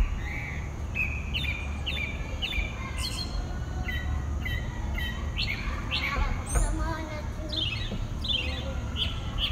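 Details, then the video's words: A single pale-breasted thrush (Turdus leucomelas) sings at dawn in southeastern Brazil, a run of short, clear whistled phrases at varied pitch, some rising or falling, over a steady low background rumble. "a dawn song from a pale-breasted thrush"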